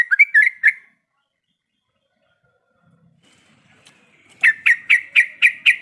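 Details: Sooty-headed bulbul female calling the male while in breeding condition. A short burst of lively chirps is followed by a long quiet gap, then a series of six evenly spaced, sharp, bright notes.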